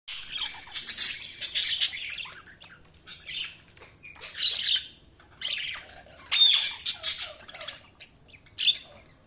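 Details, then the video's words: Budgerigars chirping in bursts of harsh, high squawky chatter and warbles, with short whistled notes between louder phrases and brief quiet gaps. "budgies chirping sounds"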